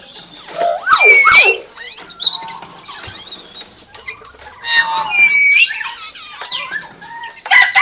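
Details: Common hill myna singing and mimicking a chicken: a loud mix of sharp whistles, squeaky notes and harsh harmonic bursts, in two busy phrases separated by quieter chatter.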